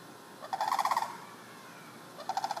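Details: Loud neighborhood sandhill cranes heard through a window screen, giving a rolling, trilled rattle of about half a second, then a second shorter burst after a quiet gap.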